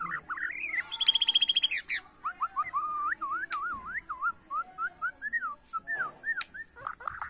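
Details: Bornean white-rumped shama in bowing-style competitive song: a rising whistle, a rapid buzzy rattle, then a long series of slurred whistled notes looping up and down about three per second.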